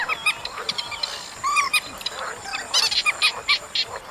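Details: In an August recording, chestnut munia calls come as clear, short whistled notes and squeaky chirps, some slurred downward, in quick groups among overlapping chatter from other birds of the flock.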